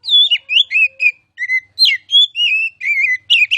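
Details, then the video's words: Oriental magpie-robin (kacer), a contest-candidate bird, in masteran tutor song: loud, rich whistled phrases that rise and fall, with sharp upslurs and warbled notes in quick bursts separated by brief pauses. "KICAU MASTERAN KACER CALON JUARA!!!"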